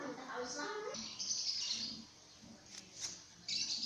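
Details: Talking common hill myna mimicking human sounds such as the call to prayer, coughing and calls for mum and dad: a brief voice-like harmonic phrase, then harsh, high, hissy bursts separated by short pauses.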